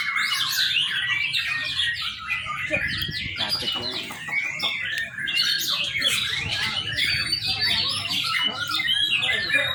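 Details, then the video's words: Young white-rumped shama in dense, continuous song: rapid chattering and warbled phrases overlap with short whistles, busy and unbroken for the full ten seconds, with a faint low rumble beneath. "murai batu muda. cakep buat pancingan"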